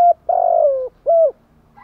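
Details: Spotted dove urging coo heard close: a short note, a long level coo sliding down, then a shorter arched coo.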